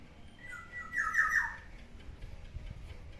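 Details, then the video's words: Captive pet black-naped oriole chattering in the morning, kept indoors: one fluid, liquid whistled phrase lasting about a second, wavering and slightly falling, over a faint low background hum. "OCEHAN BURUNG KEPODANG DI PAGI HARI, SUARANYA BIKIN ADEM"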